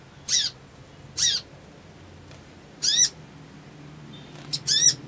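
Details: Male crimson sunbird singing an emotional, provoking song: four short, very high, sharp trilled bursts with a falling tail, spaced about one to one and a half seconds apart over a low background hum.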